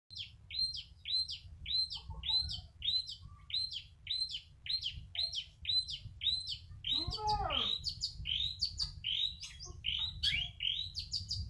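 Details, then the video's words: Tame long-tailed shrike singing a fast series of sharp, hooked whistled notes, nearly two per second, broken midway by a quick descending rattle, over a low steady hum. "cendet mewah jinak gacor"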